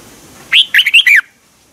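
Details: Caged-bird stimulation song of a red-whiskered bulbul from Thailand, a single brisk phrase of four clear, slurred whistled notes that rise and fall, delivered in well under a second against a quiet background.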